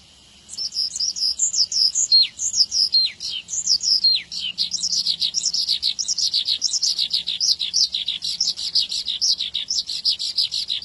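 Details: Javan bush lark from Indonesia in full, vigorous song, a local bird kept for song. A fast, varied stream of high twittering, trilled and slurred notes, with sweeping whistles early on, continuing without pause after a short quiet start.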